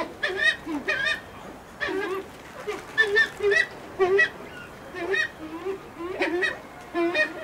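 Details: A brown eared pheasant (Crossoptilon mantchuricum) at a pheasant nursery gives loud, harsh, honking calls, roughly one a second in uneven bursts, with faint background noise.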